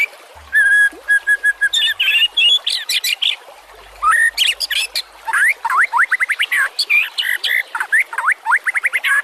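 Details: White-rumped shama song meant as a training master for other songbirds: a burst of rapid buzzy trills, then dense runs of sharp, sweeping chattering notes with short breaks.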